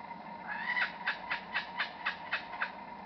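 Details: Hidden a few metres away in scrub at Bungonia State Conservation Area, a Superb lyrebird copies other forest birds: a rising slurred note, then a steady string of seven soft, evenly spaced chopping notes.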